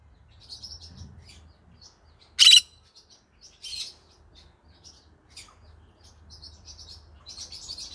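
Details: Green-cheeked conure at evening, soft scattered chirps and twitters around one very loud harsh squawk, with a low hum underneath.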